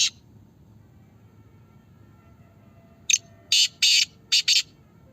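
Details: Black francolins in Pakistan in a calling competition, giving harsh, grating, high-pitched bursts: one brief note, a pause, then a quick ragged phrase of about five rasping syllables.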